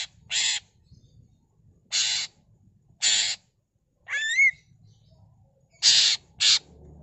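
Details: Greater green leafbird giving a lively ngentrok song full of mimicked phrases: harsh, rasping bursts of about a third of a second each, spaced irregularly. Midway comes one clear whistled note that sweeps upward in wavering loops. The background is quiet.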